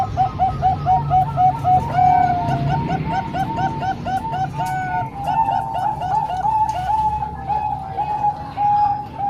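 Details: Combined Bangkok and local zebra dove song for training young birds: overlapping chains of quick bubbling coos, then a smoother, sustained cooing trill, with low background hum throughout.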